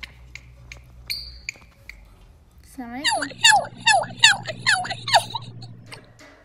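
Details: A pet lory, called by name and shown dancing indoors, gives a quick run of harsh squawky calls with sweeping up-and-down notes, about two per second, after a few soft clicks and a quiet start.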